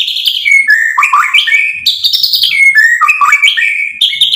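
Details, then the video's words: White-rumped shama, or murai batu, singing to provoke and excite: continuous varied melodic whistles gliding up and down, with quick slurs and short rich phrases repeated in a lively, unbroken stream. "PANCINGAN MURAI BATU biar EMOSI NYAUT jadi GACOR"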